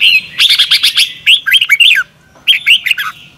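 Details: Red-whiskered bulbul morning song in the double-twist style, a recording for training caged birds: harsh broadband chattering bursts, then looping whistled notes rising and falling, in two phrases split by a short pause.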